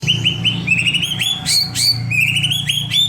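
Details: White-rumped shama song used as a lure to prompt other birds to sing: rapid series of clear whistled notes, repeated slurred upward phrases and sharp high accents, over a steady low hum.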